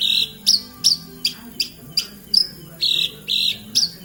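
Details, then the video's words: Singing Javan bush lark from Kediri: sharp high chirps interspersed with longer, flat buzzy notes, about two or three per second, over a low steady hum. "Branjagan gacor"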